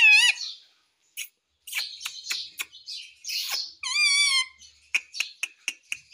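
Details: Pet Indian ringneck parakeet in India, kept as a talking parrot: sharp chirps, clicks and two bright harmonic whistles, one falling and one wavering, with short gaps between bursts, recorded indoors.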